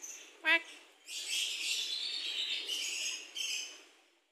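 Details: Javan myna, described as a lively singer, kept in a private aviary. A short rising harmonic note is followed by a long stretch of harsh, noisy chattering with a break near the end.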